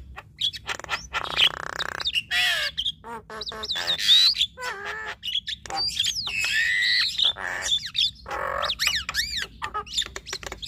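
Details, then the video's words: Javan myna pair, male and female, duetting through a varied repertoire: rising and falling whistles, nasal squawks, harsh grating bursts and quick chirps follow in a dense, irregular stream with brief pauses. "Duet Jalak Kebo Fenomenal Jalak Kebo Jantan Dan Betina Bongkar Isian"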